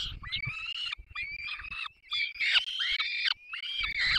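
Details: Peregrine falcon chicks at the nest in the Barycz Valley on 3 May 2024, fed by both parents: harsh, wailing, harmonic screeches, drawn out and rising then falling, repeated in bursts with short pauses, low rumbling thumps beneath.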